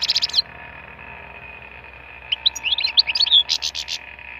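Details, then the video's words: Goldfinch singing in the wild, played as song stimulation: a short fast trill, then a pause, then a run of bright twittering notes and buzzy rattles; constant faint hum behind. "chant chardonneret sauvage"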